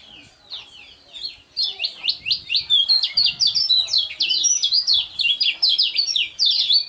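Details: Lemon-bellied white-eye, known locally as kecial kuning, a contest bird singing in the ngejos style: after a brief pause, a rapid, continuous outpouring of high chirping, twittering notes, dense and unbroken for about five seconds.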